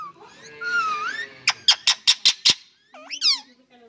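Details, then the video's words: Pet ringneck parrot talking indoors: a drawn-out, voice-like harmonic phrase with wavering pitch, then a quick run of six sharp, harsh clipped squawks, and finally a pair of swooping whistled notes rising and falling. "My Parrot Talking Nicely | Ringneck Talking Parrot"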